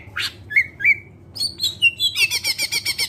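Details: Greater green leafbird song, a lure to make other birds sing: a few short whistles and a sharp upward note, then a fast harsh buzzing rattle of evenly repeated pulses.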